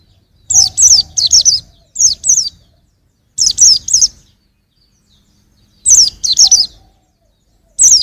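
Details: Song of a young white-eye in rapid clusters of three to four high, sharp descending chirps, separated by silent gaps of about one to two seconds.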